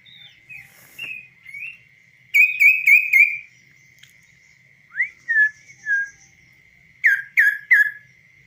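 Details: Kaso-kaso bird, hand-tamed and trained, singing freely on a hand without a cage. Its voice is clear and varied: rapid whistled note clusters, then separate downward-slurred whistles and a closing run of three sharp notes, over a constant faint high tone.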